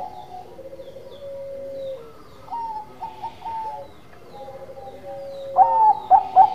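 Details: Bangkok-type zebra dove singing in a lively way: soft rolling purred coos and short notes, ending in a burst of loud clipped coos.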